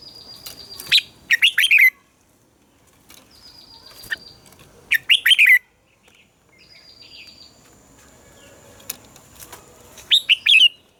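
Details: Red-whiskered bulbul in captivity singing at morning for bird training, phrases introduced by a thin high whistle and ending in quick, rich warbled notes, three such phrases spaced several seconds apart.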